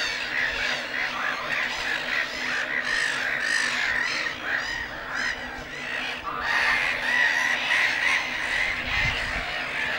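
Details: Continuous clamour from a black-headed gull breeding colony at Lake Hornborga: many birds calling at once, harsh and grating, with louder bursts near the end.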